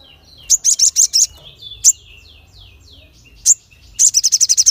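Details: Crested jay in full voice, calling sharply to provoke other birds: a short burst of five high notes, a single chip, soft falling whistles, another chip, then a quick run of eight rattling notes.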